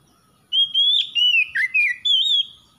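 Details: Oriental magpie-robin song: a bright, sustained whistle dipping into quick warbled notes, then a rising whistled ending, all loud and clean against near silence.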